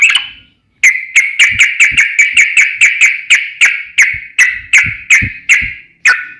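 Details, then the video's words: Sooty-headed bulbul singing energetically: a fast, steady series of sharp chirping notes, about two to three per second, each a bright downslurred whistle, after a brief opening note and silence. "KICAU SUARA trucukan gacor NEMBAK ROPEL NGEPLONG"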